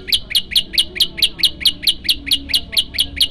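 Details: Prenjak lumut, a prinia, sings a varied song used as a master recording for young birds. It pours out a steady rhythmic train of bright, sharp high notes, about four a second, with faint low background hum.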